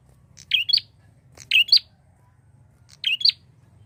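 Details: Prinia calling to lure other birds in flocks: three piercing, squeaky chirp phrases about a second or more apart, each made of two fast high notes, against a soft low drone.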